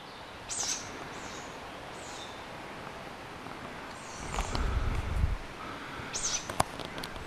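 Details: Group of tawny owl chicks late at night in late spring or summer, keeping in touch and begging for food: short, wheezy, high hissing calls about every second, over steady hiss with a low rumble midway.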